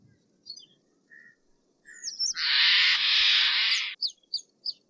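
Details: A long, even, hissing scream from a Steller's jay lasting nearly two seconds, with a few short whistles and thin chips before and after.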